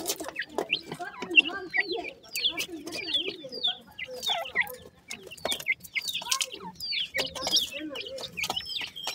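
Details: Grey francolin chicks, kept birds, in the morning while feeding, uttering crisp high falling chirps in uneven bursts, separated by short quiet gaps, plus a few soft low clucks.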